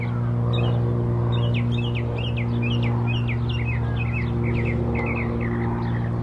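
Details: Northern mockingbird in song at Old South Cemetery, 17 April 2024. It delivers a rapid string of short, complex chirping phrases, repeated several times a second, against a constant low droning hum.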